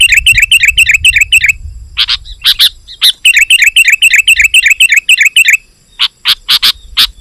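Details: Sooty-headed bulbul song used to call wild bulbuls: two long runs of fast repeated whistled notes separated by loud sharp chirps, with a low rumble early on.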